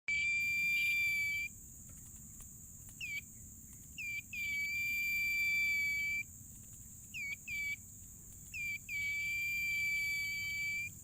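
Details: Sirtu bird, called a tailorbird, singing busily: long, steady, pure whistled notes held one to two seconds each, separated by short upward-flicked chirps, over a constant high insect-like hiss.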